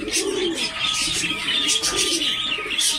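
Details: Low, burbling coos from a Jafari pigeon, called the smallest pigeon type in the world, set against dense high twittering from many other birds.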